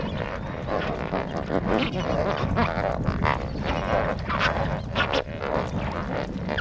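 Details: Large flock of lesser flamingos in a wetland at Jamnagar, Gujarat, India, keeps up a dense, steady babble of low grunting and honking calls, with sharper nasal notes rising out of the murmur; lesser flamingo.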